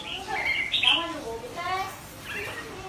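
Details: Young white-rumped shama trying out its song. It produces soft, rambling subsong of mixed whistles, short trills and low slurred notes, with a brighter high phrase near the start.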